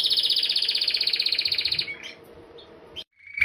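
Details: Rolling canary song for teaching other birds, a fast buzzy trill pulsing steadily for nearly two seconds, then fading into scattered soft notes and a short pause.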